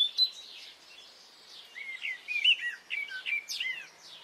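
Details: Spring morning bird chorus in Brittany, with varied bright whistled notes and quick slurred phrases rising and falling, several birds overlapping, louder in the second half.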